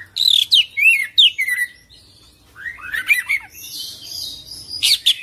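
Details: Oriental magpie-robin, rolling 'full isian' song: rapid run of bright downslurred whistles, a short pause, then harsher chattering and high buzzy notes.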